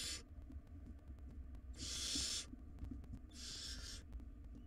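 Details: Barn owl nestlings, wild, in a nest box during a tug-of-war over a big rodent, give rasping hiss-screeches: a brief tail at the start, then two long noisy bursts about a second apart, low background hum.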